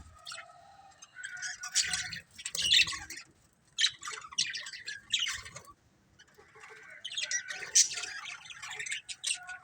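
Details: Pet budgerigars from a colourful family group give quieter chirping: clusters of high squeaky chirps and warbled notes with soft gaps between phrases.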